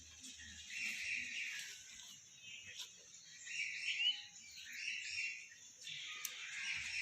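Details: Hill myna resting in a garden utters a loose series of moderate whistled notes spaced a second or two apart, with faint low rustling behind.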